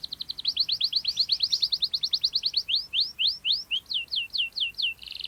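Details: Canary singing a sharp rolling song for young birds to copy: a rapid whistled trill of downslurred notes that gradually slows into spaced, rising-falling whistles, ending in a brief buzz.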